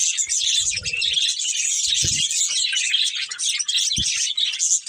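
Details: Busy, high twittering warble from a breeding pair of budgerigars, continuous chirps throughout, with a few low knocks underneath.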